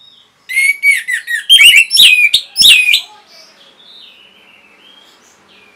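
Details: Orange-headed thrush in captivity, singing vigorously as a lure for other caged birds: a varied string of whistled phrases, sliding notes and sharp high chips, followed by quieter thin whistling.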